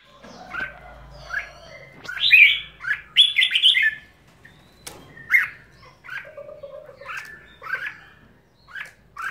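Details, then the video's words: Red-whiskered bulbul singing: short bright warbled phrases around mid-high pitch, separated by brief pauses, with a low hum underneath. "Chào Mào"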